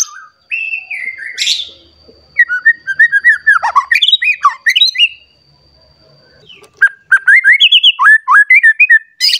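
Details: Rival-seeking white-rumped shama delivers loud, varied whistled song: a harsh burst, then quick runs of slurred whistles and chirps in two long bouts separated by a brief pause, over a faint steady high tone.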